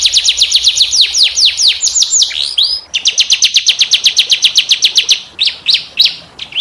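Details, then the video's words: Domestic canary singing a distinctive 'cengkok' pattern meant for tutoring young canaries: fast series of downward-swept whistles about four per second, a short pause, then a long even trill of repeated sharp notes. "SUARA KENARI CENGKOK UNIK GACOR||COCOK BUAT MASTERAN||TERAPI KENARI"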